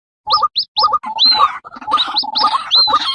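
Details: Female white-breasted waterhen with her chicks: loud, hurried clucking notes mixed with high, bent, whistled squeals, overlapping in a busy, jerky chorus for about three seconds.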